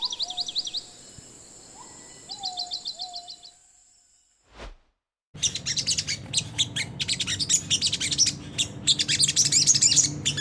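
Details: Lure recording of a Sunda whistling thrush's coarse 'ngriwik' twitter for caged birds: soft slurred whistles and short trills, a brief break, then a long run of loud, rapid, scratchy high chips over a low hum.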